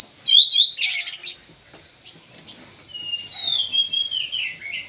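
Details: Kacer (Oriental magpie-robin) worked up in a pacingan match. A burst of loud harsh chatter and squeaky notes opens the sequence, followed by a long wavering whistle that slides gradually downward.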